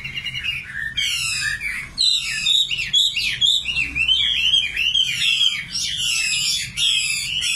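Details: Common nightingale singing: rich, varied phrases of rapid repeated notes, buzzy trills and sweeping whistles, delivered continuously with brief pauses; faint low background hum.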